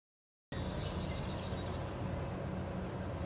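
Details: A tree swallow in spring, near nesting boxes, gives a quick run of about seven bright, liquid chirps in under a second, against a steady low background rumble.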